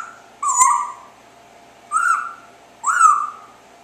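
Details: Pet parrot making chirping noises indoors on an afternoon: three tonal, slightly rising-then-falling chirps spaced about a second apart, with a click at the first, in a quiet room.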